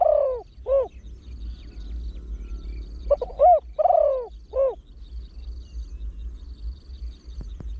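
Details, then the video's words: Spotted dove, a trained bird with a big voice, cooing in the rapid throw-one-kook pattern meant to draw wild birds in. Two short groups of low, hollow coos, then quiet with a faint click near the end. "เสียงนกเขาใหญ่ 3 (เสียงใหญ่) ขันโยน 1 กุ๊ก ขันถี่"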